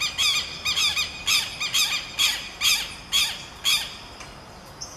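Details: Southern lapwing duet song: loud, harsh, strident squawking notes in pairs and triplets, repeated roughly twice a second with rich harmonics, fading out near the end, in a quiet open outdoor setting.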